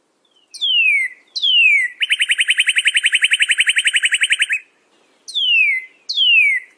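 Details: Northern cardinal song in clean, quiet conditions: two sweeping down-slurred whistles, a fast rattling series of repeated notes for over two seconds, then two more falling whistles.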